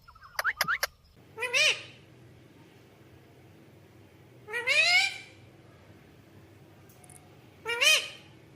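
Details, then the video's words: Pet parrot indoors, said to be asking for roti; a few quick high chirps, then three loud harmonic squawks, each rising and falling in pitch, spaced about three seconds apart over a low steady hum. "मिट्ठू को रोटी दो मम्मी 🥰 parrot talking mummy mitthu ko roti do"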